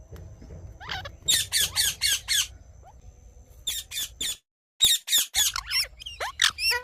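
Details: Rose-ringed parakeet calling in the morning: harsh, grating squawks in a fast series of about five, then further bursts of screeches with short pauses between, over a faint low rumble.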